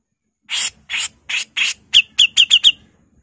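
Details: A female grey-cheeked bulbul gives four harsh, raspy notes about half a second apart, then five quicker, clearer slurred notes in a rapid run. No other sounds.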